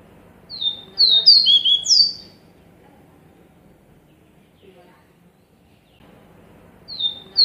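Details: Purple-throated euphonia singing, a recording meant for training birds: a burst of five sharp, descending whistled notes, a long pause of about four seconds, then two more high whistles beginning the next phrase.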